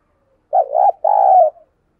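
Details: Spotted dove serving as a decoy bird, giving a prompting call for wild doves: a wavering initial note run into a sustained, smooth mid-pitched coo, with silence around it.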